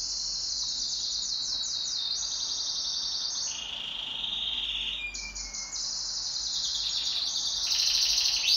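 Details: Pet canary singing in duet: continuous high rolling trills and buzzy tours, with a brief lower whistled note near the middle and rapid pulsed rolls at the end, over quiet background hum.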